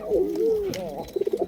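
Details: Pigeon kept by a breeder in Bangladesh: smooth low cooing notes gliding and wavering, then a run of five short pulsed coos near the end, with faint speech in the background.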